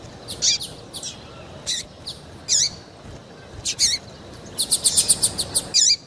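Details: High chirps from a female double-collared seedeater, used by breeders to prompt males to sing: single sweeping notes about once a second, ending in a fast ticking burst and a final sharp chirp.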